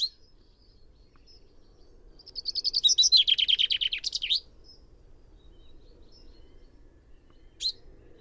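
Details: Common chaffinch song: a quick run of bright, repeated notes that speed up and fall in pitch over about two seconds, ending in a short flourish, then a single sharp chirp several seconds later; quiet background otherwise.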